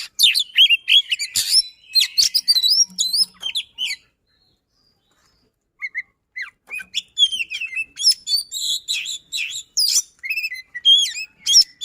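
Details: White-rumped shama, a kept songbird with fast, dense delivery, sings bursts of sharp whistled notes, rapid trills and sweeping slurs, with a pause of about two seconds midway before a second busy burst.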